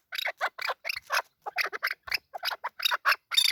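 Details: Male chukar partridge giving harsh, grating squawks in uneven bursts, each note rough and broad, with short gaps between them.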